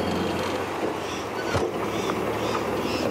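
Continuous vehicle engine drone at sunrise on a safari drive, with a brief thump midway and no distinct animal calls.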